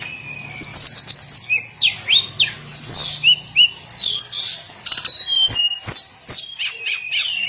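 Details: Hill blue flycatcher's daily song: a busy stream of short, bright whistled notes and buzzy chatters repeated in quick bursts, with a few sharp clicks.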